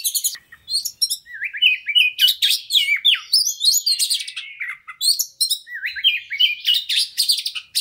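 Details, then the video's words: Fast white-rumped shama song used as a prompt for a fighter bird: quick successive bursts of buzzy high notes and rising and falling whistled slurs, several per second, almost without pause. "KACER NGOTOT PANCINGAN KACER CEPAT FIGHTER BONGKAR ISIAN"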